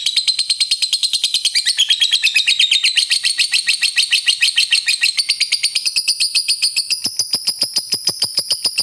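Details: Lovebird in long ngekek panjang trilling, prized by hobbyists and played to stir up other lovebirds: an unbroken, very fast, high rattling trill of rapid repeated notes throughout, pitch shifting slightly upward near the end.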